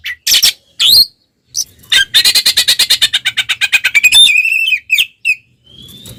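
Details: Oriental magpie-robin singing a fighting song meant to provoke rival birds: harsh opening notes, then a rapid evenly spaced run of about twenty chattering notes, followed by clear whistles and a long rising whistle.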